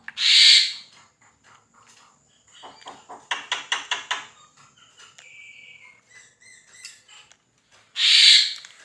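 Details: Black-winged starling song used to train competition songbirds: loud harsh screeches opening and closing, with a clicking rattle series and a short flat note between.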